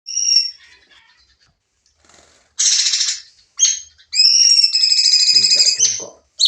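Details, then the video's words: Sooty-headed bulbul training recording with lively shooting song: a high clear whistle, then gaps, a harsh buzzy burst, and a long sustained trilled whistle with overtones toward the end. "masteran burung cucak cungkok nembak"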